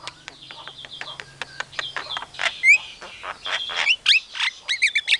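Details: Mimicking Javan myna copying a chicken calling chicks, an Asian pied starling and a hungry civet: rapid chirps and clear whistled notes, then loud rising and falling whistles and squeaks in the second half.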